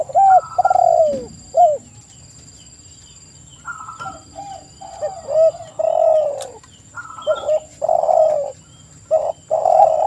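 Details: Spotted doves cooing for a lure intended to stir wild doves into calling; bursts of overlapping downslurred coos separated by a long quiet gap, loud and partly distorted, over a low drone.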